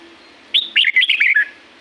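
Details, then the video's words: Red-whiskered bulbul from La-U forest in Thailand, in nature: a single bright phrase of about six rapid, bouncing whistled notes lasting one second. "เสียงนกกรงหัวจุก จากป่าละอูแท้ๆ เสียงดี เสียงเพราะ จากธรรมชาติ"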